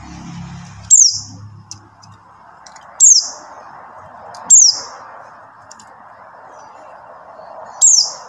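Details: Buxtoni white-eye giving four high, sharply falling calls a second or more apart over a steady background hiss and an early low hum. Used as a lure for white-eyes that have gone quiet.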